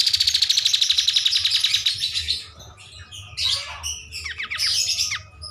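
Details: Energetic kapas tembak bulbul song for training other birds: a long rapid pulsing trill gliding slightly downward, then scratchy chatter and a run of quick rising whistled notes.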